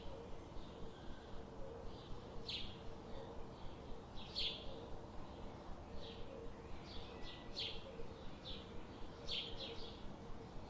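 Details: Birds calling at a distance: scattered short, high, downslurred chirps come every second or two over a steady low rumble of background noise.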